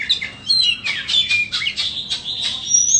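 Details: Caged Oriental magpie-robin, 'than bông' type, offered for sale, delivers a fast string of bright whistled notes and scratchy chirps, each stroke sharp and quick, closing on a thin high whistle.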